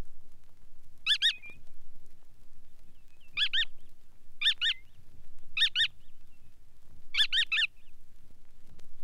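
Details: Bar-tailed Godwit calls from a Soviet bird sound guide: four short bursts of nasal, doubled notes spaced about two seconds apart, with a quiet low rumble beneath.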